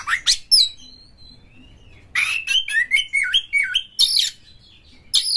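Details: Oriental magpie-robin lure song, coarse and varied, played to encourage other birds to sing; a few sharp notes and a thin drawn-out whistle, then a lively run of looping whistled notes ending in buzzy bursts.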